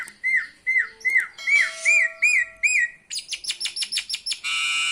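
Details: Myna bird, said to be speaking a greeting, gives a run of loud whistled up-and-down slurs, then a fast series of short high piercing notes ending in a steady buzzy tone.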